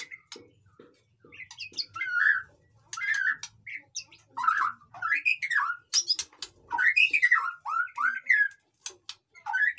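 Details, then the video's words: Busy white-rumped shama song aimed at rousing silent captive birds: soft ticks at first, then repeated arching slurred whistles and scratchy chirps building into fast varied phrases. "suara burung murai batu ribut cocok untuk dongkrak emosi burung yang malas bunyi"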